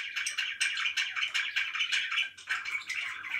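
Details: Pet budgerigars chirping indoors: a dense, continuous chatter of short warbled notes and chirps overlapping throughout, no pauses.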